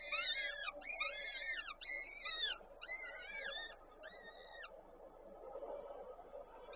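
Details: Peregrine falcons feeding chicks with prey at a nest in Koszalin, Poland, 13 May 2022. Five or six bowed, nasal wailing calls about once a second, fading out into a low steady hum.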